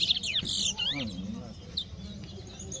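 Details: Chestnut-bellied seed finch, or towa towa, in a 2022 singing competition at West Side, Guyana. Loud sharp chirps and sliding whistled notes burst out, then fade into softer twitters, with people talking and low noise beneath.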